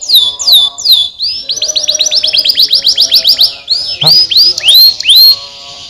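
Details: Canary song to prompt lazy canaries into singing: paired falling whistles, then an accelerating series of rising sweeps, ending with slower loud upslurred whistled notes repeated roughly every half second.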